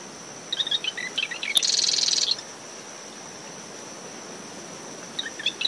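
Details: Marsh wren singing in early morning from dune shrubs around its nest after Tropical Depression Claudette, with brisk wind, recorded ten meters from the high tide line: scratchy notes lead into a dense, buzzy, rattling trill of about a second, over a steady cricket whine, wind and waves.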